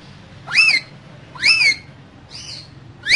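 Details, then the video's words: Two pet parrots, one kept in a small cage and in a dancing mood, said to talk like humans; three loud, harsh, arched squawks about a second apart, each bending up then down, in a quiet room. "Funny Parrots Talking Like Humans So Cute"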